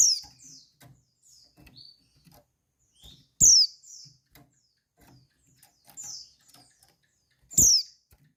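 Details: Female white-eye uttering a call meant to arouse males: loud, high descending whistles at roughly four-second intervals, with softer chirps and scattered low ticks in between.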